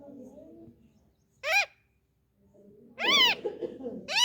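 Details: An Indian ringneck parakeet, a talking parrot, giving a single loud arched squawk, a pause, then a longer harsh wavering cry and another rising screech.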